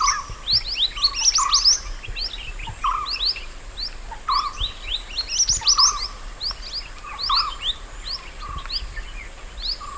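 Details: Mountain white-eye recorded in the wild as master song for teaching other birds: dense bursts of high, sharp chirps in phrases about every few seconds, each led by a short lower whistled note.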